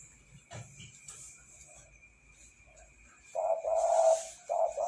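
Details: Spotted dove in full song. Quiet, faint background noises come first, then a burst of low, hollow cooing phrases near the end.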